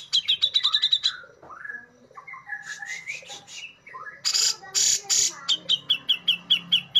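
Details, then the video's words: A male Brown-cheeked Bulbul kept as a contest bird gives a rapid string of sharp notes, then whistled rising phrases, three harsh rasping bursts (besetan) and a steady series of clipped notes. "JENGGOT MEWAH BESETANNYA TAJEM COCOK BUAT MASTERAN GESEKAN BURUNG KICAU"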